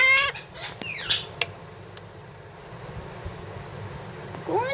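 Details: Pet talking parrot said to say "mummy": short harmonic voiced calls sweeping up and down at the start and again at the end, with sharp clicks and a brief squeak between, over quiet indoor background.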